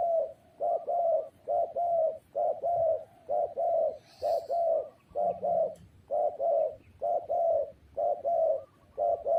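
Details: Close spotted dove calling steadily, with paired mellow coos repeated about once per second in an even rhythm for nine seconds. A brief faint high chirp sounds midway.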